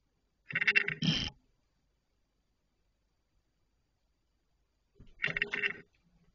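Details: Barn owls at night, recorded 26 June 2023 at 04:40: two harsh, hissing screeches in quick succession, a silence of about three and a half seconds, then another rasping screech; quiet background.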